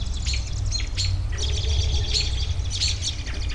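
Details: Outdoor birdsong with harsh, rasping squawks and bright high chirps overlapping in quick succession, several birds calling at once, over a continuous low rumble.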